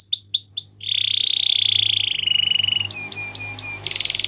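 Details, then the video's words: Singing Gloster canary, training song: a few quick descending chips lead into a long, slightly falling buzzy roll, followed by sharp separate notes and a dense high trill. "Gloster Canary Singing | Canary Training Song"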